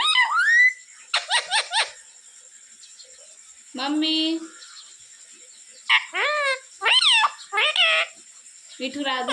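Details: Pet parrot calling mommy and asking for roti; sharp squeaky syllables, a lower drawn-out word, then a string of sliding, bent word sounds over a steady high electrical whine.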